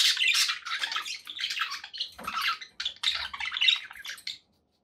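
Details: Indoor pet budgies warbling in steady scratchy chatter, chirps and squeaks in short phrases, a soft low knock midway, fading to silence at the end.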